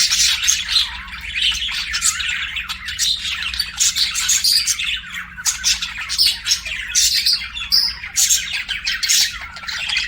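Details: Pet budgerigars singing and chirping: dense, continuous high chatter of buzzy chirps and squawky warbles with short bursts and sharp peaks, several birds overlapping, with a steady low electrical hum underneath.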